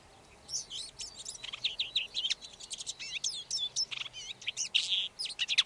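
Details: Red-backed shrike pouring out a lively, varied warble of squeaky slurs, twangy upswept notes and short chirps, growing louder and busier toward the end.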